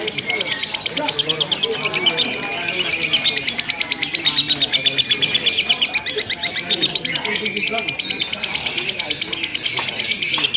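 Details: Lovebirds chattering nonstop in a simulated singing contest: a continuous, buzzy, high-pitched ngekek trill holds steady throughout with only slight swells in loudness.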